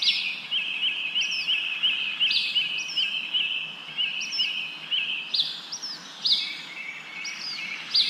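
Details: Bird chirping in wind-blown leaves: short, high, slurred chirps repeated about twice a second over a steady high trill and constant hiss.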